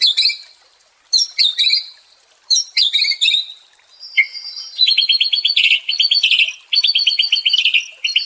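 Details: White-rumped shama (murai batu), kept bird, song played as therapy to restore a stressed bird's fighting spirit: bursts of rich whistled and chattering phrases, then a long run of rapid repeated notes with bright high overtones, no background noise.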